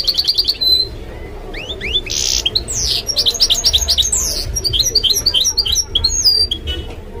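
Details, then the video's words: Mule goldfinch, a canary and goldfinch hybrid, in lively song: a quick run of repeated notes, then a rush of rising whistled slurs, a brief buzzy burst and fast twittering, over a steady low hum. "تغريد الميستو البنذوق He Has No Equal in Singing This Mule Goldfinch"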